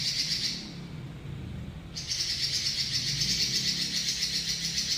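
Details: Robin's long rolling trill, ngeroll panjang: a short high rattle, about a second of quiet, then a continuous shrill buzzing roll pulsing evenly for three seconds over a low background hum.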